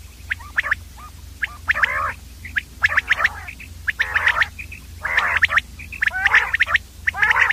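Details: Common quail sounds: quick sharp high pips alternating with grating, nasal rasps, calls crowding together and overlapping, roughly one a second, over a constant low hum.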